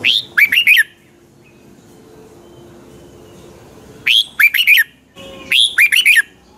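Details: Red-whiskered bulbul of Pa La-u, Thailand, singing double-style: three brisk phrases of four to five ringing whistled notes, the last two close together.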